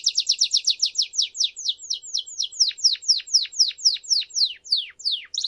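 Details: Canary song meant for tutoring fledgling canaries: a rapid series of short downward-sweeping chirps, about four per second, slowing slightly and dropping lower midway, ending with a quick high trill.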